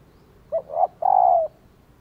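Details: Female spotted dove cooing to stir males into answering: a brief clipped note, a short double coo, then a long steady low coo that slides down at its end, over a quiet background.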